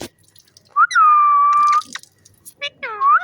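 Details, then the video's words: Playful green pet parrot with its owner. It gives a quick upslurred note, then a long level whistle, and after a pause a wavering, bending call with a lower companion tone. "Beautiful Green Parrot Playing & Making Stunning Sounds"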